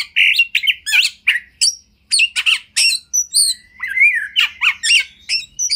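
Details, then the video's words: Oriental magpie-robin (kacer) master song for training: harsh chattering bursts alternate with clear slurred whistles and a long descending whistle mid-phrase, steady rhythm, clean background. "Lagu Kacer Satu Ini Sangat Bagus Buat Masteran Kacer Anda"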